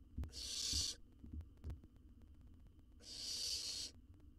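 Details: Owl chick in a wild nest box under research observation, eating a jird. Two rough, drawn-out hisses come about two seconds apart, with thumps and rustling in the box between them.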